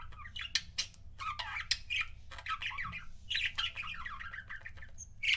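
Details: Pet budgerigar couples chirping and chattering: rapid, warbling runs of bright, scratchy chirps and short squawks in quick succession, with brief pauses and a steady low hum beneath.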